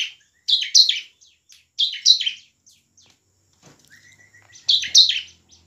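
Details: Bar-winged prinia singing loudly, used as a lure so lazy birds start singing; repeated scratchy chirp pairs, a thin whistled note in a quieter middle section with a faint low hum, then another burst.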